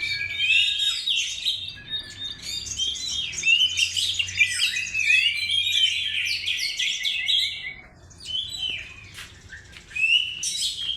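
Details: Oriental magpie-robin song as a lure: busy, high twittering and looping whistled slurs run on for several seconds, briefly soften into a quieter pause, then resume loudly.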